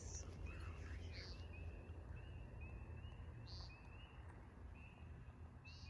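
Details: American woodcock, also called timberdoodle, calling at night in a backyard: short buzzy nasal beeps at irregular intervals over a constant chorus of rising high chirps and a low background rumble.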